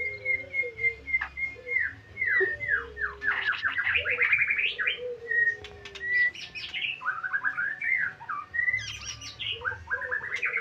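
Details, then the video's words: Trotol-style white-rumped shama song full of isian, continuous and varied: long runs of downslurred whistles, rising sweeps and rapid chatters, with a steady low hum and faint gliding tones beneath. "MURAI BATU LEPAS TROTOL FULL ISIAN"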